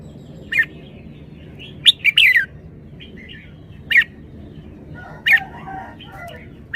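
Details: Red-whiskered bulbul giving sharp, clear whistled notes, some doubled into quick rising-then-falling phrases, spaced irregularly across several seconds, with softer warbling chatter in the gaps and a low constant hum underneath.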